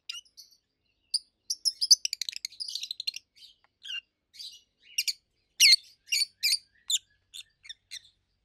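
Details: Peach-faced lovebirds, a long-kept adult pair, in a rapid chattering series of high chirps followed by evenly spaced sharp, shrill notes about every half second.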